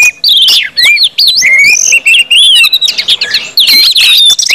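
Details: Orange-headed thrush in continuous 'ngeplong' song meant to stimulate other birds: bright upslurred and wavering whistles strung into phrases, mixed with quick chips and a few raspy notes.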